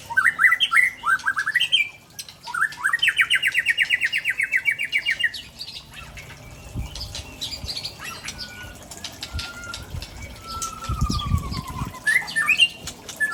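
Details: White-rumped shama of the Aceh type from Tangse, singing rare imitated phrases: quick rising-falling whistled notes, then a long rattling trill, followed by softer clear drawn-out whistles and scattered chips over low background rumble.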